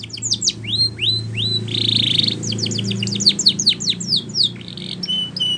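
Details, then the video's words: Spanish Timbrado canary song for training: rising whistles, a sustained buzzy rattle, then quick descending trills and clipped high notes over a low background hum. "Canary's Most Powerful Song For Training"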